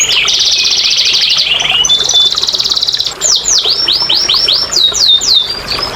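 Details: Song of a canary, meant to stimulate lazy canaries to sing: a long rapid buzzy trill lasting about three seconds, followed by slower looping whistled notes swooping downward.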